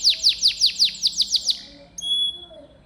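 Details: Gacor canary singing masteran song for pet canaries: nine loud descending sweeps in quick even succession, slowing and fading, followed by a thin sustained whistle.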